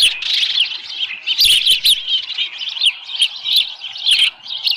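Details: Osprey calls at a Dunrovin Ranch nest on 13 July 2018 around 7:10 AM, with a small live fish at the nest: continuous high, thin whistled chirps and squeals in rapid overlapping runs, with a few sharp knocks.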